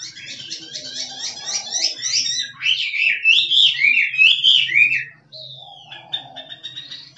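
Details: Wild Chinese hwamei in full 'drumming' song style: fast repeated buzzy notes, then loud swooping whistled phrases rising and falling, ending in a long descending slur followed by quieter notes; faint low hum beneath.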